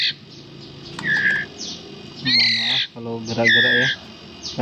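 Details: Captive white-rumped shama (murai batu) chicks about 11 days old, possibly all males, begging while hand-fed: high, thin, insistent squeaks in short bursts, mixed with a man talking quietly and handling noise.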